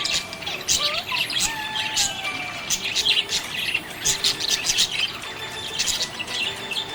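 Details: Happy budgie chirping: a dense stream of fast, buzzy, high chattering notes and short warbles, almost continuous through the whole stretch, with a few lower drawn-out whistled tones underneath.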